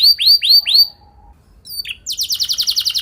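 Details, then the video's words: Canary song for training canaries to sing: three looping arched whistles, a pause with a faint chip, then a fast buzzy trill. "Pancingan Burung Kenari Biar Gacor Ngeroll Panjang! Pasti Nyaut Kenari Manasaja"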